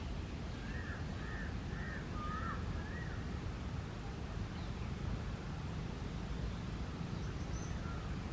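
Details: Yellow-footed green pigeons feeding on fruit in a tree; a short series of five soft, arched whistled notes comes early, then faint scattered notes, all over a heavy, constant low rumble of wind.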